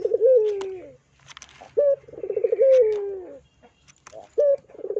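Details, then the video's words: Barbary dove (puter) gives low, soft coos: long rolling notes that sag in pitch, broken by short clipped coos, with faint chirps and clicks in the background; a lure recording of a vocal dove. "PANCINGAN PUTER GACOR"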